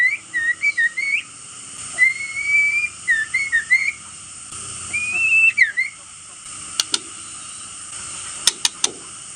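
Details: Male white-rumped shama song used as a lure to provoke rival birds: varied clear whistled phrases, rising and wavering, in quick bursts for six seconds, then sharp dry clicking notes in scattered pairs.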